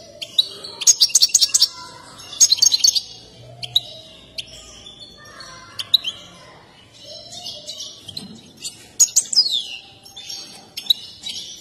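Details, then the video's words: European goldfinch in an excited mating display with dance, favoured by breeders; short clusters of high twittering chirps broken by quiet gaps, with a sliding squeaky note near the end and faint lower background whistles. "تغريد حسون هائج مع اجمل الرقصة المفضل لدى المربين"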